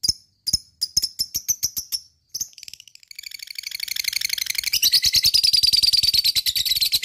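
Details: Lovebird giving a long ngekek trill, used as a lure to excite other lovebirds into singing: a few separate sharp high chirps, then a dense, rapid, buzzy chatter that swells louder and runs continuously to the end.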